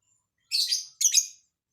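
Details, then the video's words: Lovebird delivering an odd, varied song: two rasping, broad chirps about half a second apart, each slightly wavering, against silence. "Burung lb isian aneh"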